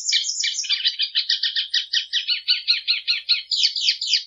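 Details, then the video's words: Clean plumbeous seedeater song with no background noise, a fast, rhythmic twittering run of many short rich notes followed by several high, downslurred whistled phrases. "Canto da patativa"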